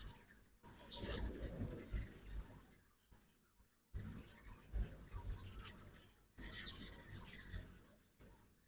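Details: Morning fall migration of ruby-throated hummingbirds at a feeder in Oxford, Mississippi; three bursts of high squeaky chips and twitters separated by quiet pauses, with low rumbling noise under each burst.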